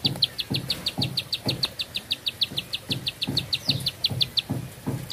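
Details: Bar-winged prinia singing a fast series of high, sharp notes, about five per second for over four seconds, over a backdrop of regular dull low thumps.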